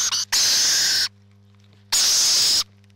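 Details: Two long, grating, hiss-like screeches from rainbow lorikeets at their nest, each nearly a second long, are separated by a quiet gap. A low background hum continues throughout.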